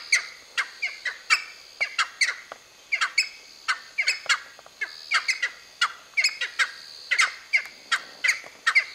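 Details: One of a group of seven Cheer Pheasants near Nainital gives a rapid, uneven run of harsh, scratchy squawks, roughly two or three per second, over a faint steady high hiss.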